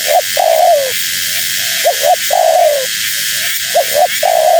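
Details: Female spotted dove calling to bring in wild birds; three phrases of double hoots leading into an extended, gently dropping coo, steady hiss in the background.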